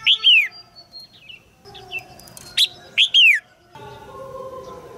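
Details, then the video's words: Caged female red-whiskered bulbul calling to spur a young male into song: bright, sharply descending chirps, three close together at the start, then another cluster of three after a quiet gap, over a faint hum. "นกหัวจุก birds - นกตัวเมียร้องเจี๊ยก ๆ ในกรงเพื่อกระตุ้นให้นกหนุ่มร้องอย่างไพเราะ"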